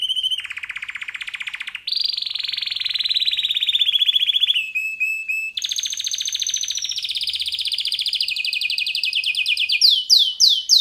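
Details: Male pet canary singing vigorously for over ten seconds: one fast rolling trill after another at changing pitches, brief whistled breaks, and a finish of sharp, repeated down-slurred notes.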